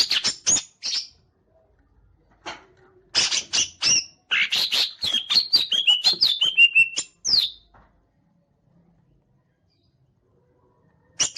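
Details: Green leafbird fanning its tail while singing: bursts of sharp chirps and high whistled notes, a rapid run of sliding, slurred whistles in the middle, then silence before a final brief chirp.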